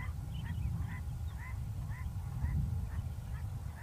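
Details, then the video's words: At sunset on a Northern Cape farm near Hanover, South Africa, a large-billed lark forages on the ground, singing quietly: brief mellow upslurred notes at an even half-second pace, with a few higher chips, amid strong low wind noise. "Large-billed Lark singing softly while foraging on the ground."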